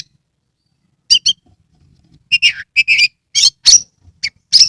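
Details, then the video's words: Oriental magpie-robin from Kebumen, Indonesia, in persistent song used as a lure for birds reluctant to sing. A brief double chip, a pause, then a quick series of bright whistled and squeaky notes. "Kacer gacor"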